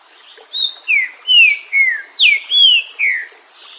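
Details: Green-winged saltator song: a phrase of seven loud, clear whistled notes, most slurring downward, delivered in a quick, uneven sequence over about three seconds against a quiet background.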